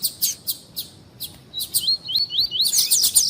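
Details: Tui-tui style song of a coleiro, or double-collared seedeater, used to warm up birds for tournaments: spaced sharp chips, then a chain of five upslurred whistles, closing in dense twittering.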